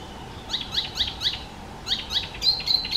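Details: Icterine warbler song passage of short, high, sharply rising notes repeated about four times per second, ending in thin level whistles, against a quiet background.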